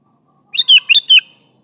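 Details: Single lively phrase from a sooty-headed bulbul calling its companions: four quick, bright, slightly slurred chirps run together in under a second, clean background.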